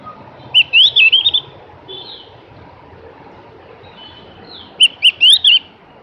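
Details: Javan grey-throated white-eye singing two short bursts of high rapid warbled notes several seconds apart, with faint thin notes in the gap.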